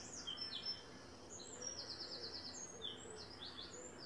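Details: Eleven small Mallard ducklings, with three adult males and one female nearby, peep constantly in high, thin, often down-sliding notes, several overlapping, about four a second, over a soft hum; filmed about 9:55am on an overcast morning, 12 April 2024.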